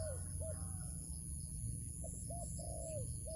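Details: Wild dove coos as it is lured into a trap. Crisp short arched notes come in a rhythmic series, with one longer falling coo near the end, over constant low rumble and a high electronic whine.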